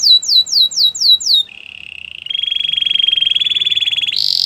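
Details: Canary training song: a few swooping whistled notes, then a low steady rolling trill that jumps to a higher, longer pulsed roll before ending on a brief bright burst.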